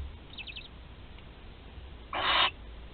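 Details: Barn owl at a webcam-watched nest in Théding, 20 July 2020, where a 13-day-old chick swallows prey whole; a faint buzzy chitter early on, then a loud, harsh broadband hiss lasting about half a second.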